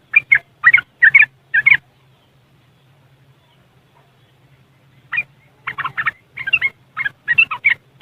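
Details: Riwikan chatter by a yellow-vented bulbul, West Java, Indonesia, recorded with an Android phone: a few scratchy bursts, a silence of about three seconds, then a fresh series of gurgling note clusters.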